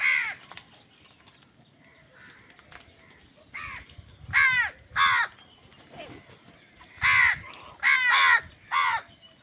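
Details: Crows squabbling over food, calling loudly: a series of harsh, grating caws in irregular bursts, some single and some in quick pairs, about seven calls over nine seconds, with faint background chirping between them.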